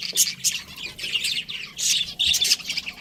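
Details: A breeding pair of pet budgies gives quick, harsh squawky chirps in short clustered bursts, several within three seconds.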